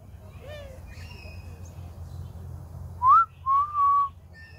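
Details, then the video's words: Grey diamond dove with a faint slurred note early on, then a clear rising whistle and two steady, soft whistled coos in quick succession against a low hum. "Grey diamond dove"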